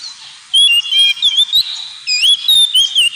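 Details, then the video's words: Oriental magpie-robin (kacer) singing in the ngemplong style, used as therapy to get pet birds singing: clear whistled phrases sliding between high and very high notes, in two bursts separated by a short pause. "KACER NGEMPLONG TERAPI"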